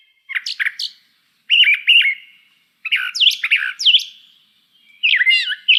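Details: Brown Thrasher singing bright, varied, whistled and raspy phrases, each repeated only about twice before moving on, in bursts separated by brief pauses; the song serves to intimidate intruders on its territory.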